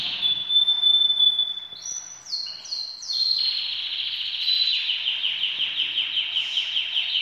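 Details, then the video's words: Loud canary song from birds ready for breeding, opening with a long steady whistled note, then stepped higher phrases and a fast, evenly repeated rolling trill lasting several seconds. "طيور الكناري كلها جاهزة للتناسل"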